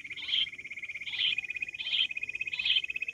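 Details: Quail calling in the wild: four short, sharp notes at a steady pace, set against a constant rattling insect trill.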